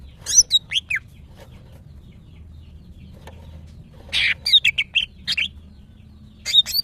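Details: A female greater green leafbird in breeding condition calls for males: a few high whistled notes, a long quiet pause, then a dense cluster of bright chips and slurred whistles.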